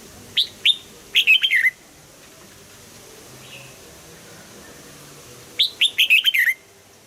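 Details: Red-whiskered bulbul, a caged bird in song training, sings two phrases of clear rising and falling whistles about four seconds apart, with a faint soft note in between.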